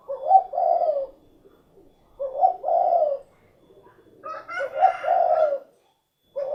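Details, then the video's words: Spotted dove, locally derkuku, giving its cukurukuk kuk geruk call: three mellow low phrases about two seconds apart, each a short opening note followed by a longer rolling coo, the last one brighter and fuller. "SUARA BURUNG DERKUKU / CUKURUKUK KUK GERUK"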